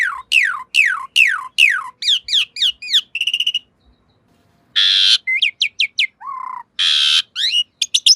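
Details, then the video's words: Asian pied starling master song for training caged birds: a series of steep downslurred whistles, then buzzy rattling notes, a brief pause, and varied squeaky chirps, harsh bursts and a low warbled phrase. "Masteran Jalak Suren Anti Stress. Burung Pasti Nyaut"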